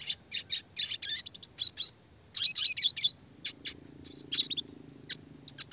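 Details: Clear, fast red siskin classic song used to train songbirds: rapid high chirps and twittered trills in bursts, a pause, then more chattering phrases with occasional higher whistled notes, faint low hum underneath.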